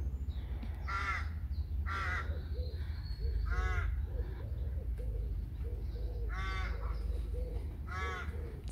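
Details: Rooks at a rookery with many nests give rasping, harsh caws spaced a second or two apart, over softer, lower calls from other colony birds and a steady wind rumble.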